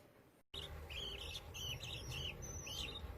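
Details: Lovebirds in a colony: a run of about eight short, high chirps, some rising and falling, spaced a fraction of a second apart over a steady low background rumble.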